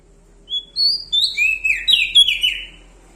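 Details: Bar-winged prinia from Lombok in full, loud song: a quick run of clear whistled notes, first thin and high, then slurred downward and rising phrases, ending in a longer warbled flourish over a quiet background.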